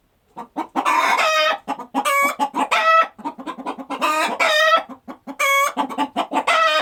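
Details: Farmyard chickens cluck in quick, low, staccato runs, repeatedly punctuated by loud, ringing, drawn-out cackle notes.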